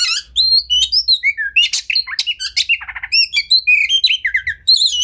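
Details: Oriental magpie-robin, called kacer, giving champion tutor song: clear high whistles, quick flicking notes, a low buzzy burst mid-way and bright rising phrases, nearly nonstop.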